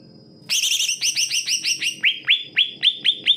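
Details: Greater green leafbird song, offered as a tutor for lazy-to-sing birds: a warbled harmonic opening, then a sequence of sharp upswept notes spaced about a quarter second apart.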